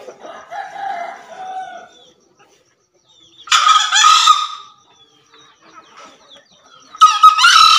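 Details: Wild-type green junglefowl from Java, soft lower notes at first, then a loud rasping crow of about a second, silence, and a second harsh crow starting near the end.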